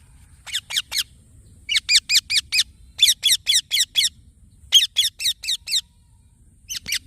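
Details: Young green parrot chirping in uneven groups of three to six scratchy notes, rapid within each group, with brief gaps and a faint high hiss.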